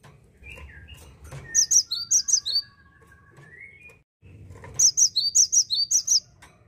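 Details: A cinereous tit sings in repeated bursts of piercing, high see-saw notes, each pair stepping down. Between bursts, other birds give softer, lower sliding whistles. The species is said to be seldom found in gardens anymore.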